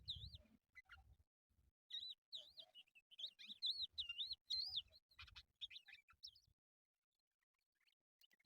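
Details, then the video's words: Crested lark, called jal locally, played to attract birds for trapping: looping whistled notes repeated in a rhythmic string, mixed with short chirps, low rumbling noise at the start. "How to catch Crested lark Bird | Jal bird sound"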